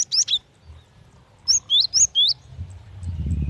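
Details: Cinereous tit female calling to a male: short bright whistled notes sliding up and down, a brief pair followed by a quick run of four, then low background rumble building.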